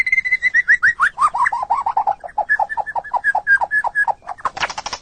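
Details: Pet white-rumped shama, master song for songbird training: a series of clear whistled notes, descending in steps then repeated at a steady pace, ending in a harsh noisy burst.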